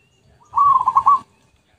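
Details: Zebra dove song recorded as a lure: a single rapid phrase of five or six quavering, bubbling coos on a level mid pitch, lasting under a second.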